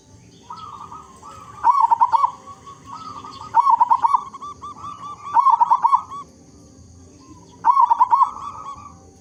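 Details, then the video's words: Local zebra dove, loud and often singing, used as a lure so other zebra doves start to sing; four cooing phrases, each ending in a bright rattling trill, repeat about every two seconds. "Perkutut Lokal Gacor Suara Besar Cocok Untuk Pancingan Semua Jenis Burung Perkutut Agar Bunyi"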